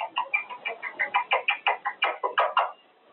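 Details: Caged male Quaker parrot during cage time, practicing his words. A rapid string of about a dozen short, harsh, nasal syllables, roughly three per second, growing louder toward the end before stopping.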